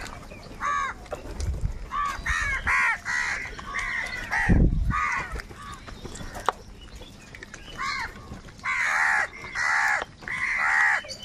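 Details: A large flock of crows fighting for food gives loud, harsh caws in bursts, several birds overlapping, with short quiet gaps and a low thump midway.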